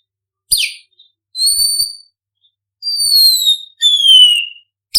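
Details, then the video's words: Imported white-rumped shama (murai batu), a champion contest bird singing actively with varied bursts and full song material. A sharp, down-slurred note opens. Three long, clear, high whistles follow, each about a second long and gently falling. A brief sharp note ends the phrase. "MURAI BATU IMPORT GACOR FULL ISIAN MATERI MEWAH TEMBAKAN VARIASI BURUNG JUARA - SHAMA BIRD"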